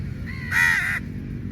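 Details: A single long, harsh caw from a crow among a large number fighting for meat, preceded by a fainter caw, with low rumbling noise beneath.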